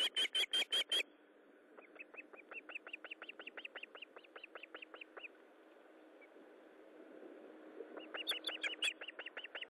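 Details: Osprey calling at its nest while feeding, morning of 19 July 2012: loud clipped whistles, then a steady run of quieter rhythmic cheeps, rising again to a loud burst near the end, with low background noise.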